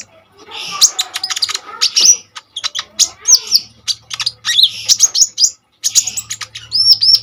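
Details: Common iora singing energetically, used to lure and tutor kolibri ninja birds; long bursts of rapid high chips and chattering trills, broken by short pauses, ending in bright whistled notes.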